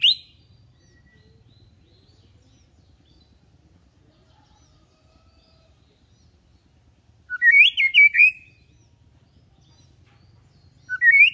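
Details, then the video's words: White-rumped shama singing as a tutor for young birds learning to sing. Near-silence is broken by one bright, rich phrase of slurred whistles, then the start of another at the end. "Pancingan murai batu || khusus trotolan agar belajar bunyi"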